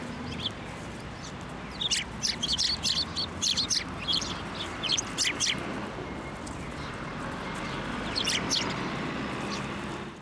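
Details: Sparrows flying onto a person's hand to be fed at a Tenmangu shrine, 8 December 2023: bursts of rapid, overlapping chirps from several birds come in clusters, then ease off, over steady outdoor background noise.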